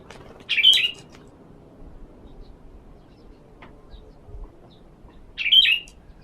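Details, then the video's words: Sooty-headed bulbul in a sunning session used to attract other birds: a loud, bright chirp at the start and a matching one about five seconds later, with soft background rumble between. "Terapi jemur pikat burung kutilang"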